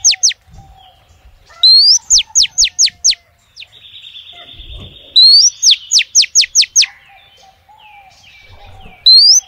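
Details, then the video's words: A female oriental magpie-robin calls males with bright phrases: a rising slurred whistle and then five or six fast downward-sweeping notes, repeated three times, with a steady thin tone and soft twitter between phrases. "SIULAN KACER BETINA MANGGIL JANTAN"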